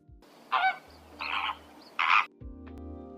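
A greater flamingo gives three harsh, goose-like honks, each about a quarter second long and spaced under a second apart, over a low steady hum.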